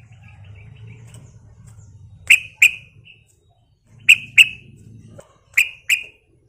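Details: Sooty-headed bulbul (trucuk) song used as a lure to provoke other bulbuls: paired, bubbly, liquid notes in three short bursts about every one and a half seconds, with faint softer chatter and low background rumble.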